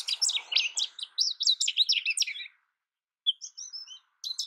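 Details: Long jumbled twittering phrase from an American goldfinch, rapid high notes tumbling for over two seconds, then quieter scattered whistled notes after a pause.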